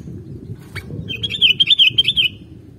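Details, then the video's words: Sooty-headed bulbul singing to rouse other birds: a single sharp upward note, then a fast, rippling string of about eight bright whistled notes over a soft low rumble. "Gampang Ke Pancing Kalo Burungmu Dengar Suara Kutilang ini"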